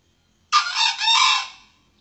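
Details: Male red junglefowl crowing, used as a lure call to draw in both male and female junglefowl for trapping and hunting: one harsh, buzzy crow of about one second in two joined parts, the second longer and fading out, against a quiet background.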